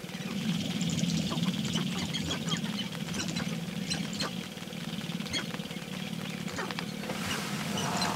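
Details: Sharp-tailed grouse in a dawn mating ritual on May 5, 2019, several birds present; continuous low throbbing pulses mixed with irregular sharp clucks and chirps scattered through the clip.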